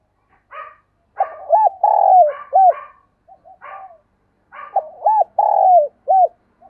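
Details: Spotted dove used as a decoy, calling in thúc bổi style to draw a reply: two bursts of loud looped coos with a long drawn middle note, interspersed with short harsher buzzy notes.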